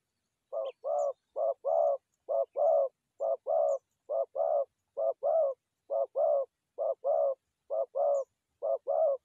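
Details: Trapping call of forest doves: a long, regular series of two-note coos, a short note followed by a fuller longer one, repeated about once a second with clean silence between pairs.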